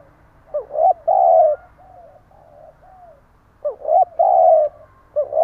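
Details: Spotted dove lure bird cooing in a stammering style: two bursts, each a quick rising note followed by a long low hum-like coo, separated by soft wavering murmurs and a pause of about two seconds.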